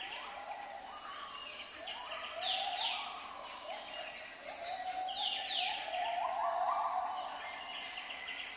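A male zebra finch sings a fast, nasal, buzzy song of stacked chattering notes while courting a female.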